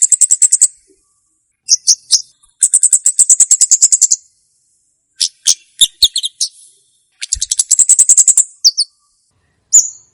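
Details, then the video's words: Olive-backed tailorbird, a lure and tutoring recording for untrained tailorbirds: repeated fast volleys of shrill chips, some long and rattling, mixed with short double notes and a few rising whistles, in separate bursts. "suwara burung komade cocok buwat pikat & masteran komade bahan"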